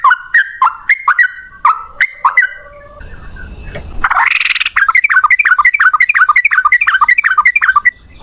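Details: Male yellow-vented bulbul in a fighting, long 'ropel panjang' rapid-fire song, used as a lure to get other bulbuls singing: bright downslurred notes in bursts, a short noisy break, then a fast run of quick chirps.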